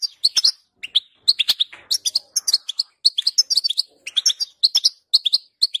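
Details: European goldfinch song used as training sound for a pet goldfinch: nearly continuous, bright twittering with quick chirps, short trills and buzzy notes, delivered in rapid bursts.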